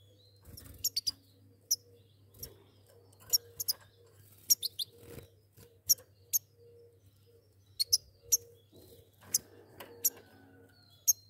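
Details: Pair of goldfinches calling with frequent brief, bright high-pitched chirps and twitters, often in quick doublets, over a constant low hum and faint mid-pitched tone.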